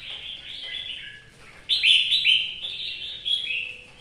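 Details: In rainy weather a caged red-whiskered bulbul from Vietnam sings a soft warble, then bursts into a loud, rich whistled phrase with a second shorter phrase near the end.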